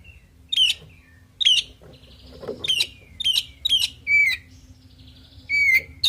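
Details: Oriental magpie-robin song to provoke answering birds: short loud downslurred whistled notes spaced about every second, several clear slurred whistles, faint low hum beneath.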